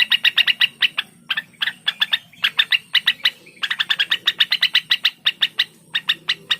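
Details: Cucak wilis, the blue-winged leafbird, giving a bright, fast chattering song of sharp ticking notes in quick bursts, with short gaps between the bursts. A faint background hum is present.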